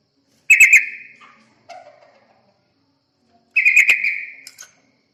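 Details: Yellow-vented bulbul lure call to attract birds: two rapid bubbly bursts roughly three seconds apart with a softer lower note between them, each ending in a fading tail.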